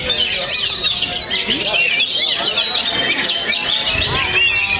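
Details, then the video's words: After its moult, an Oriental magpie-robin from Perbaungan, North Sumatra, delivers busy high twittering song with quick slurred whistles and clipped chirps, accompanied by murmured human speech. "KACER ANAK PERBAUNGAN PASCA MABUNG TURUN GUNUNG."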